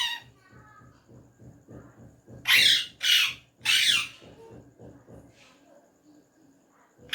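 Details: Talking ringneck parrot, hand-tame, utters three harsh, breathy words in Urdu/Hindi over a steady low rhythmic tapping in the background.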